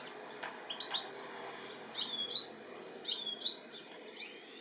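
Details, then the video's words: European goldfinch in the UK, July 2017, calling as it looks for its young; thin, high chirps and short whistled slurs in quick pairs, somewhat fainter, against a noticeable background hiss. "Goldfinch calling and lookink for his baby"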